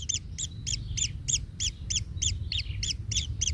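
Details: Baby kingfisher in its nest, trodden on by the parent bird: evenly spaced, rasping double-toned chirps about three a second, loud and insistent, with faint low rumble.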